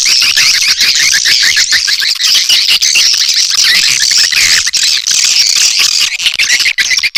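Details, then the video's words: Swiftlet lure call. A constant, loud mass of thin chirps and trilled twitters, many birds calling at once, with scarcely a gap. "suara pangil walet"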